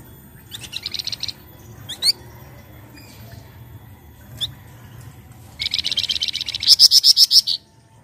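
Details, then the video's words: Flamboyan lure song for prompting other birds to sing: a short high trill and isolated sharp upslurred chirps, then a longer fast buzzy trill closing in loud, piercing repeated notes. "PANCINGAN BUNYI FLAMBOYAN BAHAN"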